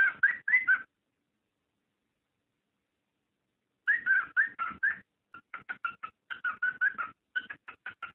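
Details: Cockatiel mating call, used to prompt breeding: a brief chirping burst, a three-second pause, then a long series of quick whistled notes, softer and more clipped near the end.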